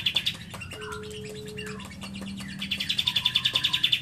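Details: Lovebird song filled with cililin phrases: scattered chirps and scratchy notes at first, then a steady, quick high-pitched trill of evenly spaced pulses running to the end.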